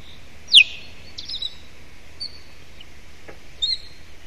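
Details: Osprey at its nest giving a warning call on a June morning at 09:50: one sharp, loud whistled note sliding steeply downward, then faint softer notes in the background, over a steady low hum.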